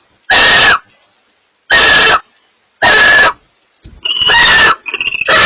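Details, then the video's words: Barn owl pair communicating with loud, coarse hissing screeches, three evenly spaced, then a rougher, broken burst and a last screech cut off at the end. "A pair of barn owls communicate"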